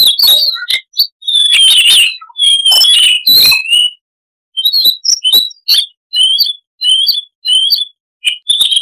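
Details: A Siberian rubythroat's varied chattering song recorded cleanly: long rich warbling passages with high sliding whistles, a brief silence, then a string of short spaced chirps roughly every half second.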